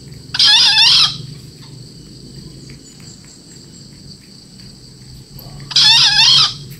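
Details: A four-month-old green junglefowl gives two short, high, squeaky crows about five seconds apart, over a faint low hum.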